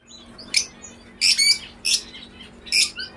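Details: Caged lovebirds (Fischer's and peach-faced listed) indoors: four sharp, harsh, shrill chirping bursts roughly every half second to second, each a brief squeaky cluster, with a faint steady hum underneath.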